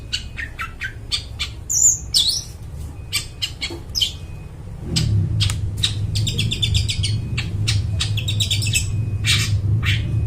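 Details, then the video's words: Long-tailed shrike singing vigorously in a clear, ringing voice, used as a lure for wild forest birds: a varied medley of sharp chips, buzzy bursts and short whistles, with a steady low hum throughout. "cendet gacor, suara plong bening cocok buat pikat burung dihutan"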